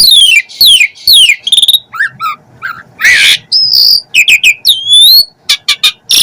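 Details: Asian pied starling in energetic full 'isian' song: rapid descending whistled slurs, pure flat whistles, buzzy rasps and a sharp upward-sweeping note, delivered in quick varied bursts with short gaps.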